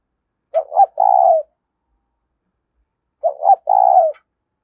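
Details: Spotted dove in 'thúc' cooing, a voice meant to draw wild doves close: two phrases about three seconds apart, each with short stuttering notes before a long even coo.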